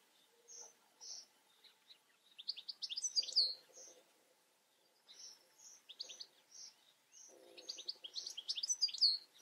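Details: European goldfinch singing: twittering phrases of quick high liquid notes with a few rising whistles, delivered in two similar bursts separated by quieter single chips, a low rustling hum beneath.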